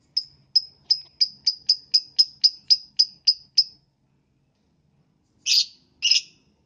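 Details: Lovebird singing in the morning to prompt other lovebirds to sing: a rapid run of a dozen sharp, high, clipped chips, about four per second, then a pause and two harsher, broader squawks.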